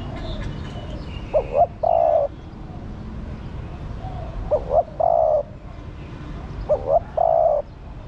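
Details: A female spotted dove calls to stir up the male. Three phrases of paired quick rising notes ending in a prolonged steady coo recur about every two and a half seconds, with faint twittering birds and a low rumble.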